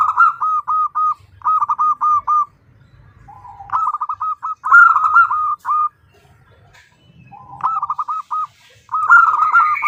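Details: Zebra dove female calling the male, repeating short bursts of rapid, staccato cooing notes in rolling series with quiet gaps between them.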